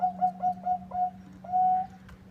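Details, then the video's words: Zebra dove of a local strain, singing actively against a rival: a string of short, even, whistled coo notes, then one longer drawn-out note, all over a steady low electrical hum. "Suara perkutut lokal gacor bikin nyaut lawan"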